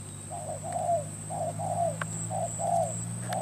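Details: Lure spotted dove in Cà Mau, Vietnam, set out for trapping on 21 February 2024, giving paired hollow coos, a brief note followed by a drawn-out downslurred one, repeating roughly each second against a low engine-like drone and faint clicks.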